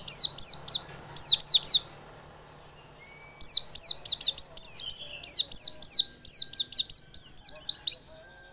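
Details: White-eye song played as a lure to spur other white-eyes into persistent, active singing: bursts of very high, sharply down-slurred whistled notes, a short phrase, a two-second pause, then a longer fast run of about fifteen notes.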